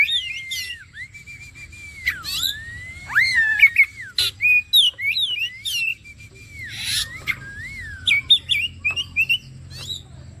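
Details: Oriental magpie-robin song used as bait to make birds sing: a long run of varied whistles, some looping up and down, some held steady, broken by sharp clicks and a loud rasping burst.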